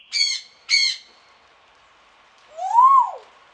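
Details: Grey parrot (Congo African grey) in a garden aviary at Pelhřimov on a rainy November morning, 6 November 2017: two short, harsh squawks in quick succession, then a single clear whistle that rises and falls.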